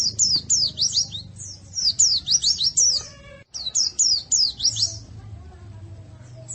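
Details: Masteran recording of white-eye song for training birds. High, sharp downslurred chirps come in quick clusters with a brief break midway. A faint low rumble sits in the background.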